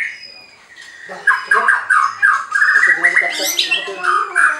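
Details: White-rumped shama (murai batu) at a bird farm in Anyer, Banten, Indonesia, singing to provoke rival birds. A quiet opening gives way to a rapid run of short, varied whistled and chattering notes with buzzy overtones.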